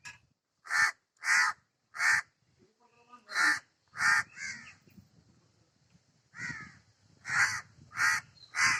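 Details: Crow calling in bursts of loud, rasping caws, three in quick succession, then a pause with a faint tonal sound and softer croaks, then more caws in a steady series.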